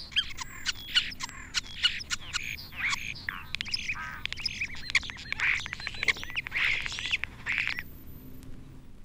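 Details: A common starling in a British woodland on a still, warm January day flies to a perch and sings: a rambling medley of whistles, squeaks, wheezy notes and clicking bill rattles, delivered almost without pause.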